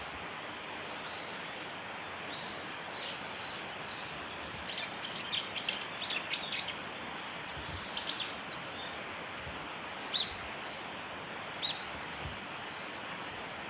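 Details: Japanese accentor on a forest road, recorded 30 December 2020. Thin, high chirping calls come in a loose cluster midway, then a few isolated chirps follow later. A steady broadband hiss runs underneath throughout.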